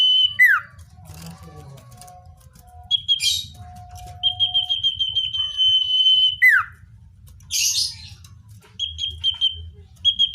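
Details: Common iora song played to attract wild birds. A long steady whistle with a plunging ending sits among scattered short notes, brief downward slurs and bursts of clicking, over a low background hum.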